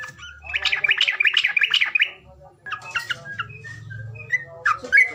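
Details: Bird lure sound for prompting a silent bird: a dense burst of fast chattering squawks, then scattered thin whistled notes and harsh calls, with a low hum underneath.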